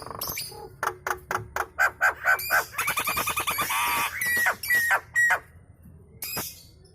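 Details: Nias hill myna chattering energetically while other birds call along; a rapid string of short clicking notes, then loud harsh nasal squawks, three clear level whistles and a final rasp.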